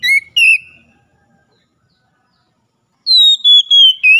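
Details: Oriental magpie-robin morning song for getting a caged bird to sing again: two short whistles, then a pause of about two seconds, then a descending phrase of four whistled notes.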